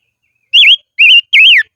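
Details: In the highlands, a decoy silver-eared mesia sings three strong whistled notes that rise and fall, evenly spaced about a third of a second apart.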